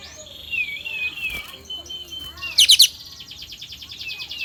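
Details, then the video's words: Lure recording of sooty-headed bulbul song meant to prompt singing. Slurred descending whistles lead into a brief buzzy, rattling chatter, over quiet background hiss. "Pancingan kapas bukor cocok untuk pancingan burung kapas tembak mu agar bukor"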